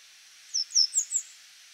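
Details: A grey wagtail singing from an overhead power line gives four quick, thin, very high notes that rise and fall slightly. The notes span under a second against faint background hiss.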